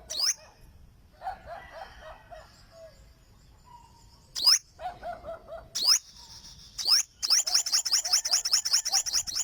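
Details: Olive-backed sunbird (burung madu sriganti): soft, lower stuttering phrases, then three sharp high swept notes, ending in a fast, bright, rapidly repeated high trill.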